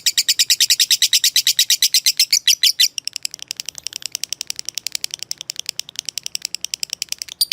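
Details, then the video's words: Lovebird giving a long 'ngekek panjang' trill of the kind used to train caged birds: fast, loud, shrill chirps for three seconds, then a softer, quicker ticking run of notes. "Masteran Suara Burung Lovebrid Ngetik Ngekek Panjang"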